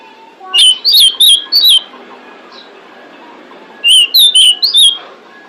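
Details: Female pied bushchat calling to attract males, used as a lure: two bursts of five loud, clear, upward-flicking whistles, roughly three seconds apart, over a low steady hiss.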